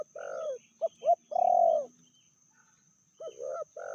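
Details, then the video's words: Spotted dove, female, said to be fiercer than the male, medium voice: a soft coo, two short clipped notes, then a long loud coo. After a brief silence come more soft, mellow coos. "Betinanya lebih ganas dari jantannya/bl suara sedang"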